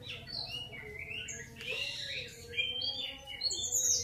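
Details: Grey-cheeked bulbul: scattered whistled notes that rise and fall, some high and piercing, given irregularly about once a second over a steady low hum.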